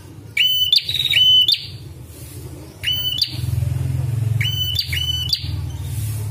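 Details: Red-headed prinia call used for bird training and luring: bright, piercing whistled notes with a metallic buzzy edge, given singly and in quick pairs with pauses between, over a constant low rumble like distant traffic.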